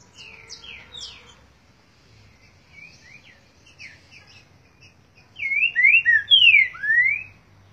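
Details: Song of a green-winged saltator: scattered faint whistled notes and twitters open the phrase, then a strong burst of about five bright slurred whistles, each swooping up or down, closing on a falling note; quiet background.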